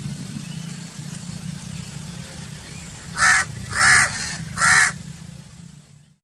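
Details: Three harsh crow caws in quick succession near the end, rasping and evenly loud, over a steady low rumble of passing traffic.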